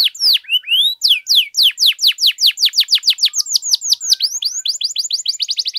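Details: Vigorous canary song kept for tutoring and prompting other canaries, a continuous run of loud, high, fast descending whistled sweeps, some doubled, speeding up toward the end into a tight rolling trill.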